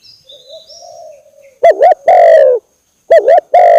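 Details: Spotted dove lure call used to attract birds: faint wavering notes, then loud, low, harmonic-rich cooing with a dipping double note followed by a long steady coo, repeated twice.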